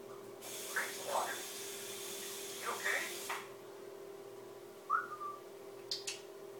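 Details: Grey parrot saying "Crazy water! You ok?" in short, talk-like phrases in a clipped voice, ending with a sharp whistled note, over a steady indoor hum and broad hiss.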